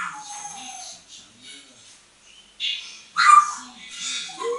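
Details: Bathroom towel rail perch for an eight-year-old hand-trained female African grey parrot in moult; low murmuring chatter, then two loud raspy squawks with a bright whistled note, and a short falling whistle.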